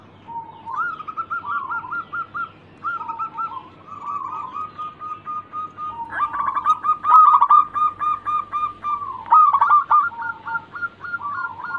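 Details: Local zebra dove in lively song: phrases of rapid trilled cooing notes, each rising then dipping slightly, growing louder and more crowded toward the end, over a steady low background hum.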